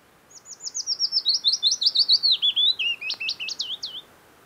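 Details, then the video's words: Wild Willow Warbler in Norwegian early summer near Geilo, Buskerud, end of June: a gentle, falling phrase of repeated sweet notes drifting downward, ending in stronger looping flourishes, lasting nearly four seconds. "Song of Willow Warbler"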